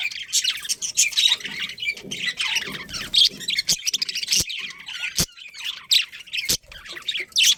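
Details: Several budgerigars in a breeding colony with a breeding pair, keeping up busy high-pitched warbling chatter and chirps, broken by a few sharp clicks or knocks.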